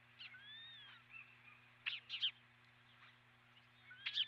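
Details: Osprey at its nest, recorded on a nest camera: a soft drawn-out whistle, then short clustered chirps, more loud chirps at the end, with a constant low hum beneath.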